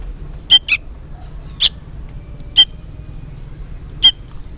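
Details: Juvenile sooty-headed bulbul, seemingly calling for its parent: a few isolated harsh chirps spaced about a second apart, one brief pair at the start, over quiet hum.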